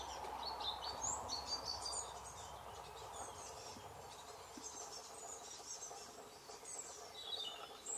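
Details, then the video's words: Two hungry great tit chicks beg for food from their parents in June 2020, with thin, high chirps repeated rapidly, roughly twice a second, over a steady background hiss. "Hungry Great tit twins"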